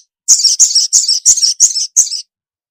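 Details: Female ruby-cheeked sunbird calling the male: six high, sharp chirps in quick succession, each a short buzzy double note, evenly spaced about a third of a second apart, then silence.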